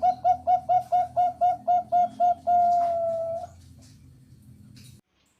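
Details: Zebra dove, a Bangkok-type perkutut, singing as a lure for other doves: about ten quick rhythmic coos in a steady series, then one long drawn-out tone that fades, with faint background hum.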